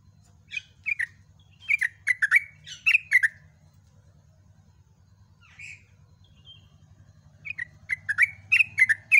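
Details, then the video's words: Dawn song of a yellow-vented bulbul in ropel style: clusters of quick, liquid chirps and warbles, a long silent gap, then a fresh rapid phrase, over a steady low hum. "TRUCUKAN GACOR ROPEL"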